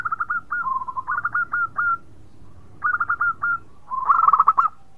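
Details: Sweet-voiced local zebra dove singing often, said to get other birds going: clipped cooing notes in quick groups of four to six, a rolling lower trill between, then another stuttering burst of coos.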